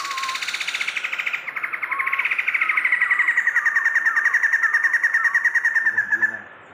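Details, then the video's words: Tame caged Sumatran laughingthrush, kept for 20 years, singing actively: a long loud buzzy rattling chatter of rapid pulses, about three per second, sustained for six seconds, with a few soft whistled slurred notes underneath early on. "Poksay Sumatra super gacor dan jinak"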